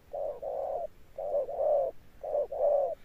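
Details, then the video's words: Spotted dove decoy bird cooing in the deep thunder-tone style. Three quick doublets, each a short coo followed by a longer drawn coo, are evenly spaced. "Cọp Đẹp Như Tranh, Gù Âm Sấm_ Nước Tiền Bổi kèm dậm nghe chỉ có phê. Gù Hậu Bền Bỉ"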